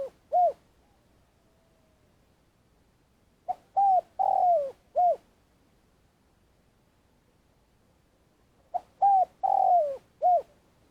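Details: Vietnamese spotted dove used as a trapping decoy, giving its long calling. Low hollow phrases of a quick note, a coo, a long downslurred croo and a final coo repeat about every five seconds, with quiet gaps between.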